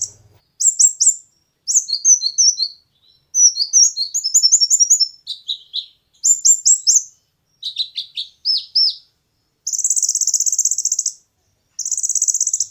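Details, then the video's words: Kolibri ninja sunbird song used to train competition birds, a varied run of very high twittering phrases, sharp chirps and buzzy bursts separated by short pauses, ending in two fast metallic trills. "konin materi burung lomba cocok untuk masteran dan pancingan burung kesayangan"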